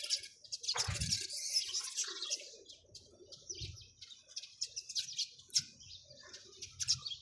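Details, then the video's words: Sparrows chirping together, a dense chorus of sharp, high chirps and twitters overlapping throughout, with a few soft low thumps near the start. "চড়ুই পাখির কিচিরমিচির শব্দ Chirping sound of sparrows"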